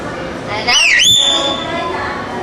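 A talking myna gives one word-like phrase, a bright voice that dips, then rises into a held whistled tone, over faint room hum.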